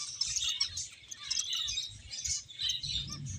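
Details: A group of playing finches twitters constantly in high, rapid chirps without a break, with a low muffled rumble in the background.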